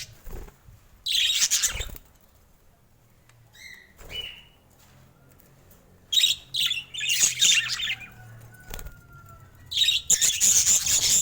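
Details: Pet budgies of rare colour mutations calling in rough, buzzy bursts of chatter between quiet gaps, with a few brief clear whistles and a faint low hum behind.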